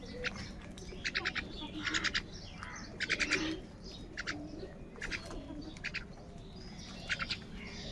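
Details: Crows searching for food give harsh, rasping caws in quick bursts of three or four, repeated about every second.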